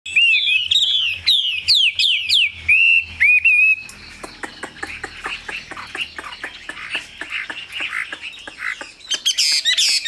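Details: Chinese hwamei, kept as a cage bird, singing loud clear whistled phrases that swoop up and down, then a quieter run of rapid repeated notes and a burst of high twittering at the end.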